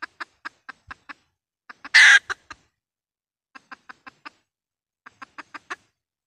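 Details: Calling hen red junglefowl used as a trapping lure. Sharp, evenly spaced clucks throughout, with one loud raspy squawk near the two-second mark and short pauses between cluck runs.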